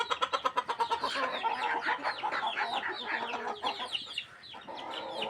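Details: Chickens being fed, opening with a fast run of evenly spaced loud clucks, then a crowded mix of chattering, squawking calls from many birds that fades toward the end.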